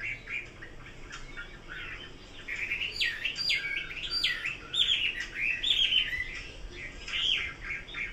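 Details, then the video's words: Chinese hwamei in full song, a varied stream of loud sharp whistles, upward slurs and jumbled warbling phrases, growing louder after the first two seconds and delivered without pause. "Kicau burung Hua Mei."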